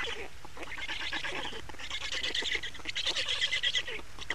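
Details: Estonian black stork nest, 28 May 2019, changeover and feeding: quieter scratchy calling at first, then louder rasping, pulsed bursts building through the second half.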